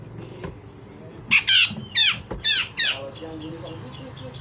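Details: Grey-cheeked bulbul (cucak jenggot) in full song, described as giving harsh rasping runs and sharp 'shot' notes: five harsh, buzzy notes that slur downward, packed into about two seconds, over a low background rumble.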